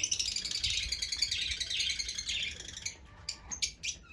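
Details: Fischer's lovebird in a continuous high twittering chatter, which breaks off into a few separate, sharp, clicky chirps near the end.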